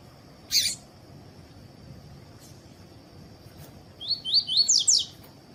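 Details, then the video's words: Caged double-collared seedeater, trained to warm up for song contests with a female present: after one sharp click-like note, a quick series of four or five clear rising whistled notes near the end, over a steady faint hiss. "ESQUENTAR COLEIRO TUI TUI"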